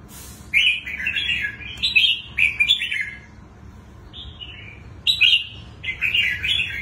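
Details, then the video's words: A red-whiskered bulbul, a wild-caught adult admired for its twisting voice, delivers a string of short rolling warbled phrases, several in quick succession, then a pause and two more bright bursts. "Chú chim bổi giọng xoắn hay"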